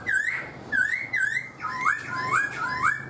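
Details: Black-throated laughingthrush in a cage for four months gives loud rising whistles repeated about twice a second, each note a short upward-curving slur, with a low hum and room echo underneath.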